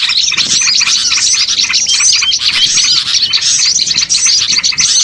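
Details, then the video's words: Small-bird lure chorus for catching birds: busy, high-pitched chattering with quick downslurred chips and twitters packed densely, evenly loud from start to end. "MP3 PIKAT BURCIL AMPUH BIKIN PANEN BANYAK BURUNG"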